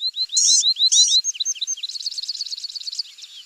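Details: Morelet's seedeater song opening with rising whistles broken by two harsh noisy bursts, then falling notes and a long run of rapid, slightly buzzy repeated chips.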